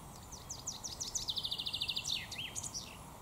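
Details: A male common chaffinch in the Raaderwald forest during the 2022 breeding season sings its full phrase: bright descending notes speed into a rattling trill and end in a flourish, over steady background hiss.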